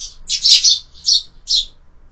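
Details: Sparrows at a window-mounted feeder during a lunchtime feed: loud, high, buzzy chirps in three or four quick bursts, close and clear, with quiet low hum beneath.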